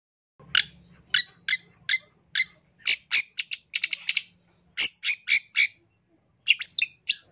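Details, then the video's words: Long-tailed shrike fill-in song: sharp, rasping chips repeated roughly every half second, a brief pause, then quicker clustered bursts with a low hum early on. "Masteran Cendet Full Isian Tembakan Mewah"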